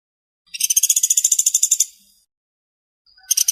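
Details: Fast, dense rattle from a pelatuk sampit or pelatuk beras woodpecker: one long chattering string of quick harsh pulses lasting about one and a half seconds, then silence and the start of another burst.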